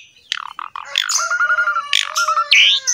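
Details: Caged Asian pied starling in full vigorous song, recorded as a master for training silent birds: harsh scratchy notes mixed with a long steady whistle, pulsing chatter and a rising squeal.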